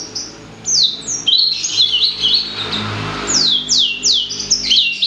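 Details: High warbling song of a blacksang, the blackthroat and sanger cross: clear down-slurred whistles run together with short twittering trills, over a faint low background hum.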